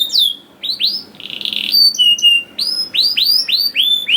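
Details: A canary singing to lure young canaries into song: a few swooping whistled notes, a short buzzy burst, flat whistles, then five rising whistles in quick succession.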